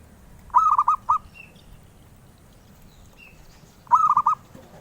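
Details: Zebra dove, a melodious bird coveted by collectors. It repeats a bubbly phrase of quick coos twice, roughly three and a half seconds apart, with soft higher chirps in between.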